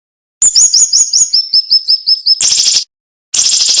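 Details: A cinnamon-bellied flowerpecker sings a sharp, tight tutor song. A swift descending-stepped run of high, thin slurred notes is followed by a harsh buzzy burst, a pause, and another rasping burst.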